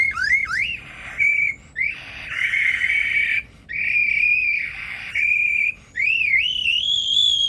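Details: Captive male Superb Lyrebird, Australian Rainforest Aviary, Adelaide Zoo, South Australia, imitating birds, car alarms, phone ringtones and construction machinery. Long, loud, steady whistled tones, rising and wavering at the starts, separated by short silent breaks.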